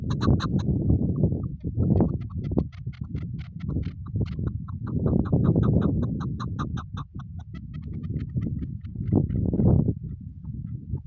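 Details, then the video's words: Hunting chukar partridge calling in quick, harsh repeated clucks that run in bursts throughout, with loud low-pitched rumble and handling noise underneath. "Shikari chakoor شکاری زرک"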